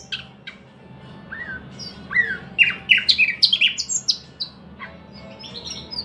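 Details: Song of a thrush nightingale: a few soft isolated notes build into a rapid string of loud, piercing high whistles and chips, then fade to quieter scattered notes, with a faint low hum behind.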